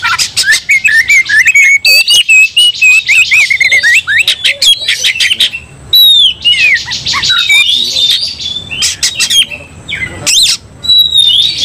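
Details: Fighting Oriental magpie-robin whose temper drives a second magpie-robin into rage: a long, restless stream of harsh chattering bursts, wavering whistles and sharp sweeping notes, rarely pausing across nearly twelve seconds.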